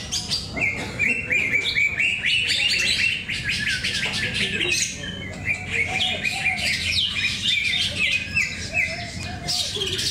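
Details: Caged greater green leafbirds competing in song at Cikeas, 21 October 2024; a bright run of quick repeated whistled notes and rippling trills, several birds overlapping, with a faint hum and voices behind.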